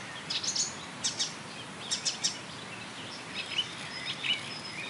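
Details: Marsh warbler singing by a railway embankment at Bernau-Friedenstal in May 2013, imitating many other birds such as tit, blackbird, lark, goldfinch and starling; scattered short high chirps and brief trills rise over a steady background hiss.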